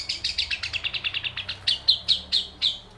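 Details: Long-tailed shrike singing in a lively, full-voiced way, mimicking a lovebird: a fast series of short, sharp, high chirps about every tenth of a second, slowing into louder, buzzy descending notes near the end.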